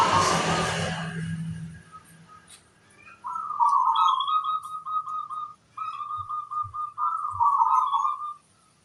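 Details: Local zebra dove, singing vigorously with a big 'kung' voice: after an opening burst of noise, three long rolling coo phrases at a steady pitch with short breaks and soft taps.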